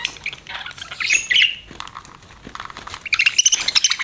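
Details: Softer budgie chirping with a few clear squeaky whistles, then a livelier burst of high chirps toward the end.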